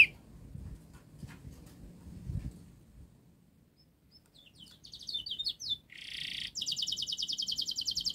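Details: Young-canary training song from a local canary: about four seconds of near silence with faint low background noise, then a quiet rapid rattling trill, a buzzy burst and a fast dense trill to the end.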